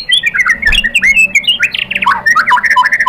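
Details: White-rumped shama song used as a lure to provoke a rival bird into answering: a fast, varied run of whistled slurs and chattering notes, rising and falling, with harsher buzzy bursts in the middle.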